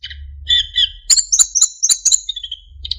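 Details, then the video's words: Narcissus flycatcher song for training other songbirds, with fill-ins and clear whistles: two soft whistles, then a burst of sharp, high chirps and trills against a low rumbling background. "MASTERAN BURUNG SIKATAN EMAS GACOR FULL ISIAN & SULINGAN JERNIH"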